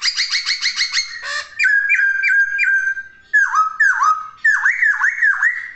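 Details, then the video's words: Poksay, or laughingthrush, in lively song: a fast pulsing series, then steady whistles with upward flicks and several dipping, V-shaped whistled notes. "Kicauan Poksay Gacor!"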